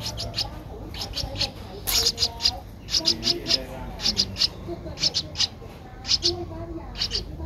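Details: Young Streak-eared Bulbul, 12 days old, whose eyes opened at seven days, in Ubon Ratchathani, Thailand, 14 April 2023, making high, sharp squeaks in quick pairs and triplets, with soft human speech behind.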